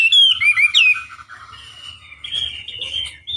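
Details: Chinese hwamei song used as a lure for rival birds: a few loud, looping whistles at the start, fading into quieter sustained warbling and soft notes, with low hum throughout.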